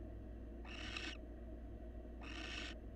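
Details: Wild barn owl in a nest box while the male grooms his mate and offers a meal; two half-second rasping hisses about a second apart above a low hum.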